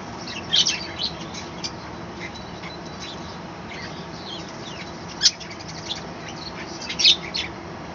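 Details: Small balcony colony of captive budgerigars chattering in the morning, with a few loud high chirps separated by quieter scratchy notes and long gaps, set against a constant low hiss.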